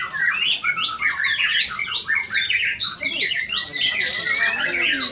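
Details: White-rumped shama performing, a rich stream of bright whistled swoops, sharp upslurs and buzzy notes following each other without pause, with other birdsong mixed faintly underneath.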